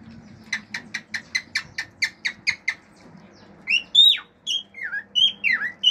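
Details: Male pet cockatiel kept at home singing natural songs with clicks, wolf whistles and mimicked birdsong: a quick run of about ten sharp clicking notes, then a string of bright whistled slurs, some rising, some dropping.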